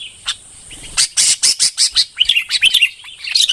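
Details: Red-whiskered bulbul song: a run of harsh, clicking broadband bursts roughly every quarter second, followed by lively, warbling, up-and-down whistled phrases that tumble quickly into one another.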